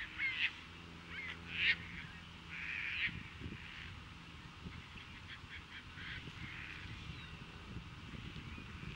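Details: Caspian terns in courtship at Montrose Beach, Chicago, on April 22, 2024, with fish offered to potential partners and mating; three hoarse, rasping cries come about every second and a half, then fainter calls and a low droning hum.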